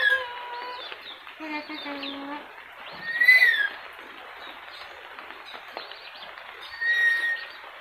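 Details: A talking yellow-crested cockatoo gives steady tonal, word-like notes, some falling in pitch, then a loud, rising-falling shrill squawk near the middle and another shorter one toward the end.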